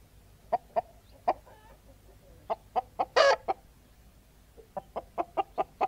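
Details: Several chickens cackle with spaced, sharp clucks that come in twos and threes. A single loud, rough squawk breaks in midway, then a quicker run of clucks follows, all over a steady low hum.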